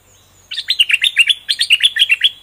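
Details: Singing caged bulbul, feathers fully grown, gives a rich doubled-note phrase of rapid, bright, warbling whistles repeated in quick succession for about two seconds.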